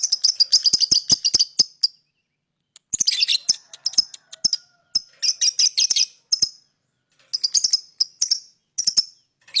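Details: Lovebird singing and chirping, used to lure other birds: bursts of high, sharp chirps and chattering trills in groups, separated by short pauses, with nothing else audible.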